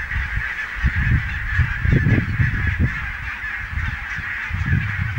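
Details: Barnacle geese in a large flock at Niittylahti, Savonlinna, 5 October 2017, producing a dense ongoing chorus of short yelping honks, with strong low-pitched wind buffeting throughout.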